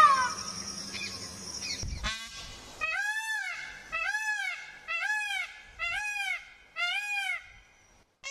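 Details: Peacocks calling at Tharparkar, Sindh, Pakistan: after two seconds of mixed background noise and a sharp knock, five loud arched wailing calls follow one another roughly every second, each rising then dropping.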